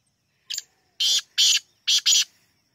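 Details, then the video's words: Black francolin (kala teetar) calling: one short harsh note, then two pairs of loud, grating, buzzy bursts in quick rhythm over a quiet background. "Black francolin voice 💔 kala teetar awaz 👈 partridge sound . black teetar"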